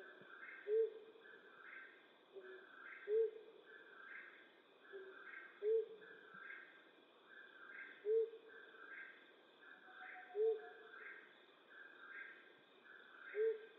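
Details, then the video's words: Nighttime hooting of a flammulated owl in western North America: six brief, low, mellow hoots spaced about every two and a half seconds, with a rhythmic higher-pitched pulsing chorus and steady hum behind. "Flammulated Owl Hooting"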